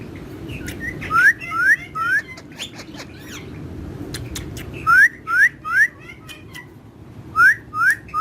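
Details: Pet parrot having fun among other parrots, said to talk in Urdu and Hindi; sharp rising whistles come in three quick groups of two to three, separated by softer clicks and chatter.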